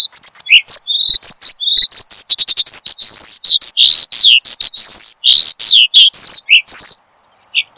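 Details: Horsfield's bushlark song for training and luring caged birds. Quick chattering notes and short whistled pairs build into loud sweeping slurs, then the song stops in a brief silence.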